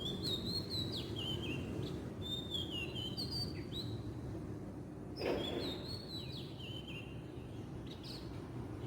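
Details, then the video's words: Southeast Asian wild oriental magpie-robin song: two bursts of melodious whistled phrases with dipping and falling slurs, separated by a brief thump, over constant low outdoor hum. "kicauan burung kacer di alam liar"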